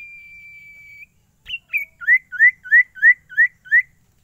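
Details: Ashy Tailorbird (sirtu) kept in a cage, singing readily wherever it is taken: a long steady whistle, a pause, then a string of about seven loud, evenly spaced upswept notes.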